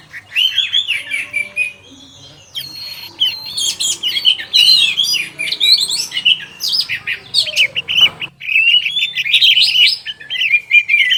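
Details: Afternoon singing by an orange-headed thrush: loud, varied high warbles and chattered phrases in quick succession, a short gap, then sustained bright whistled trills.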